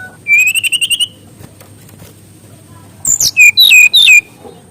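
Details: Mangrove whistler song, used to train young birds: a quick trill of about eight even whistled notes, a pause, then a phrase of sharp descending whistles.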